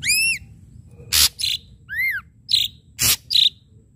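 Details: Ashy drongo pouring out a pancingan lure song with sharp strikes: a loud downslurred whistle, then harsh rasping bursts, a smooth arched whistle and twanging chips in quick, varied succession.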